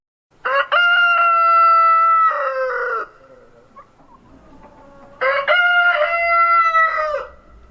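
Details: Rooster crowing, played as part of a Polish children's presentation of bird voices: two loud, drawn-out harmonic crows, each holding steady before dropping at the end, separated by a short quiet pause.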